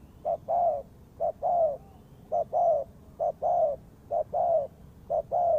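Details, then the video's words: Spotted dove calling as a lure for bird trapping: low mellow coos in pairs, a short note followed by a longer, slightly falling one, the pair repeated about once a second against a faint low hum. "The Sound Of Spotted Dove is good,Bẫy cu gáy bằng mồi trồn"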